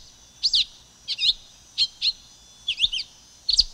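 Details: High, bright chirp pairs from a silver-beaked tanager, a tangled triple note near the end, in a loose even rhythm.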